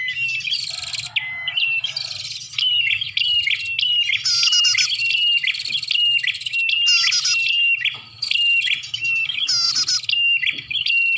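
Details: Bar-winged prinia lure sound for attracting birds, played while rain prevented hunting: dense, high, sharp chirps and thin metallic trills, repeated in quick bursts with short pauses, plus a faint low hum underneath.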